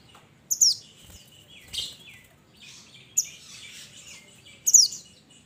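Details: Mountain minivet calling its companions with three bright, piercing, high-pitched downslurred chirps spaced about one and a half seconds apart, plus softer fainter notes between them.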